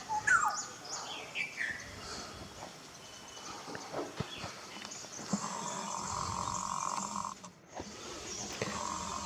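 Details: Black-hooded oriole in Tillari, Konkan, India, with a male and female pair present, gives a few quick, fluty whistled notes that slide downward at the start, followed by a steady insect-like drone and faint background noise.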